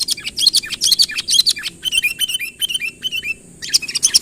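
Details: Sooty-headed bulbul calling to draw a rival near, natural voice without added songs: sharp high chirps followed by a series of short downslurred whistled notes, then a fresh burst of chirping.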